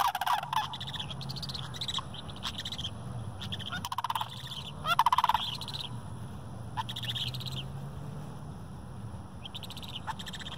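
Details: Several sandhill cranes, adults and juveniles, gathering and jumping around in a park, give loud rolling, rattling bugles in two main bursts, with higher trills and chirps between them, over a steady low hum.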